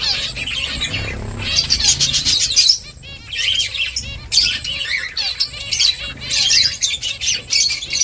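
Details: Nest-building finches keep up a constant high twittering, quick chirps crowding together in bursts with short quieter gaps between them.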